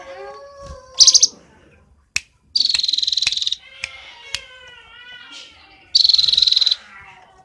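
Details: Cinereous tit (gelatik batu) from Roban, Subah, Batang: rapid buzzy trills around high pitch, each about a second long, separated by sharp clicks, over softer wavering whistled tones.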